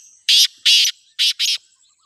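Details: Four harsh, broadband grating notes from a black francolin, two longer rasps followed by two shorter ones in quick succession, in a quiet setting.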